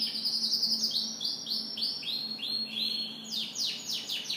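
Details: Canary singing in the morning: rapid series of high descending sweeps and trills repeated several times a second, bright and continuous, with a faint steady low hum beneath.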